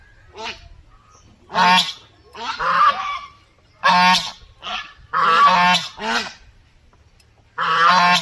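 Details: Farm duck in a village setting calling in a series of loud, rasping, nasal quacks, some short and some drawn out, irregularly spaced with brief quiet gaps.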